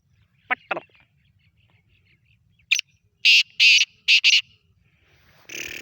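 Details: Sindhi black francolin (kala teetar) calling fast and spiritedly: two short harsh notes, a sharp note after a pause, then four loud, grating, buzzy notes in quick succession, ending in a noisy burst.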